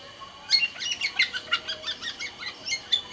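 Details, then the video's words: Sumbawa kepodang, or black-naped oriole, a kept songbird, sings a brisk burst of high chirps and short buzzy notes, repeated in quick pulses about every quarter second. "suara burung kepodang sumbawa GACOR DOR"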